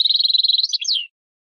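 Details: Brief European goldfinch phrase, a quick even trill of high repeated notes followed by a short twisting, tinkling flourish, then silence.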